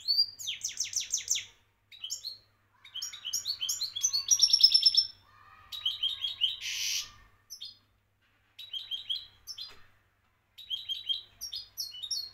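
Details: European goldfinch champion of Morocco delivering bursts of fast, repeated high twitters and trills, each lasting one to two seconds, separated by short silences, with one harsh buzzy note near the middle.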